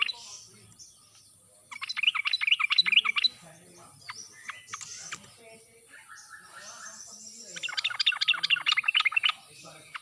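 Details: Two fast chattering bursts of bright notes from a sooty-headed bulbul, about two seconds each, forest-style song used to make reluctant birds answer, with scattered single chirps between them.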